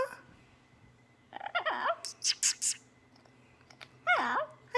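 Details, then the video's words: Morning vocal repertoire of a pet parrot: quiet room, then wavering whistled notes, a run of short broadband clicks or chuffs, and a final looping whistled call that drops and rises again. "the Parrot's Morning Repertoire"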